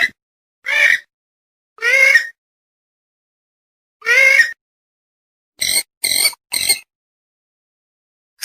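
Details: Purple swamphen, call played to lure birds for hunting: three drawn-out, rasping honks followed by a rapid run of three clipped, sharper squawks, separated by clean silence.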